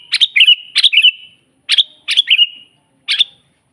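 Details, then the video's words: Sooty-headed bulbul from a master recording for training birds to sing: rapid clusters of bright, bubbly whistled notes, two quick phrases back to back, then a pause, two more, and a lone short note. "suara burung kutilang GACOR asli paling banyak dicari buat masteran"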